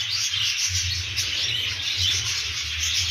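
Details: Budgerigars, several birds, giving a dense, continuous high chatter of warbled chirps with short whistled notes over it and no pauses, plus a low hum underneath.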